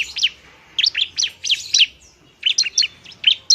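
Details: High, sharp chirped notes of a bar-winged prinia in a fighting song, a lure to rouse idle birds into singing: a short chattering run, a brief gap, then a second quick series.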